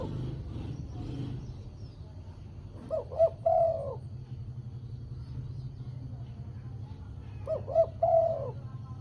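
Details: Spotted dove call used as a lure for trapping wild birds: a low cooing phrase of two short notes and a longer drawn coo, given twice about five seconds apart over a steady low rumble.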